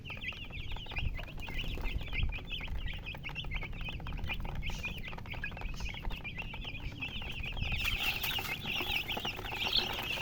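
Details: Many baby chicks chirping together, a constant stream of high, quick peeps layered over low rumbling noise, growing busier and brighter near the end.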